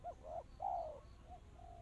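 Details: Spotted dove singing in a fast, tight, crystal-clear song style (kristal rapat cepat): a short mellow coo, a second coo, then a longer drawn-out coo that slides down, with a faint trailing note and low background hum.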